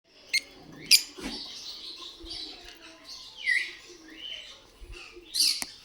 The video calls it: love birds sound